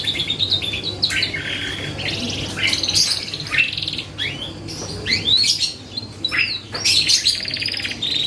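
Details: Canary song used to provoke other birds: sweeping whistles and buzzy phrases, sharp downward slurs, short gaps between bursts, a low hum throughout.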